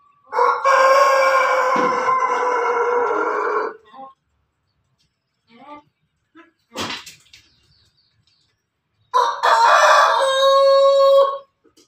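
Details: Farmed rooster, a crossbreed of pelung, Bangkok and ketawa chickens, crowing: a loud, long, harmonic-rich crow of about three seconds, then brief faint sounds, then a second sustained crow of similar length near the end.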